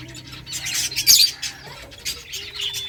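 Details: Small finches chirping while eating eggfood: quick, high, scattered notes from several overlapping birds, with a brief sharper squeak and faint soft rustling beneath.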